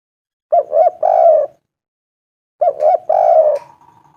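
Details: Local spotted dove calling to a female in a clear voice: two short coos and a longer sliding coo, given as a phrase that repeats after a two-second silence.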